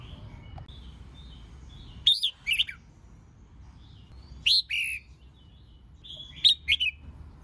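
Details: Red-whiskered bulbul female song meant to provoke males to sing in contest; three loud warbling whistled bursts spaced about two seconds apart, each of two or three quick notes, with faint soft notes in between.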